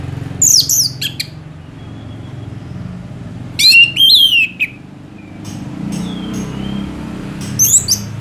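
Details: Orange-headed thrush with long, lively song used as a tutor for other songbirds. Bright whistled phrases with rapid up-and-down slurs come in bursts separated by pauses of a few seconds, over a low steady hum.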